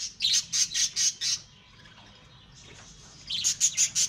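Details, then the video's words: Home-bred pet lovebirds giving shrill, harsh squawks in two quick runs of about five calls each, split by a short lull. "Lovebirds' Sounds"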